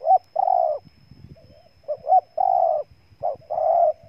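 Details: Spotted dove from Ninh Thuận, Vietnam, giving repeated coo phrases. Short rising notes precede long, steady, hollow coos, and faint low knocking sounds can be heard between phrases.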